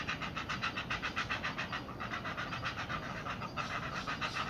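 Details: Two great blue heron chicks in their nest, which watch for their mother and beg when she brings fish, give a fast, harsh, rhythmic chatter of about four notes a second, steady throughout, over a thin high hiss.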